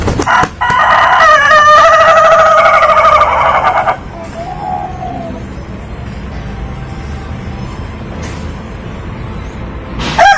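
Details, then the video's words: Laughing chicken (Ayam Ketawa) crow: a loud stuttering series of pulses for about four seconds, then steady low rumbling background noise with a brief faint call. "Sound of a Rooster Laughing Compilation (Suara Ayam Ketawa)"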